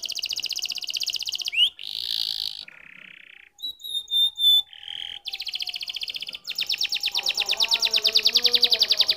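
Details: Domestic canary song with varied phrases: rapid high trills, short buzzy notes, clear whistled tones, then a long fast rattling trill over a soft lower warble.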